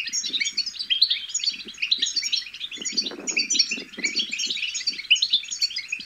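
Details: European goldfinch chicks twitter in bitbita song, meant to stimulate goldfinches to sing and mate. High, fast chattering notes flow without stopping, with low rustling underneath.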